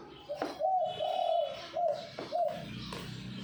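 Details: Zebra dove of the Bangkok perkutut type, song styled "kuk 2x": a long burbling coo followed by two shorter rolling coo notes, all mid-pitched and trilled, with sharp knocks and clicks between phrases and faint hum behind.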